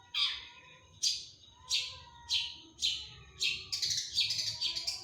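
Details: Cendet, the long-tailed shrike, in full 'tembakan' delivery: spaced scratchy downward notes about every half second, then a dense, chattering burst of overlapping rasps at the end.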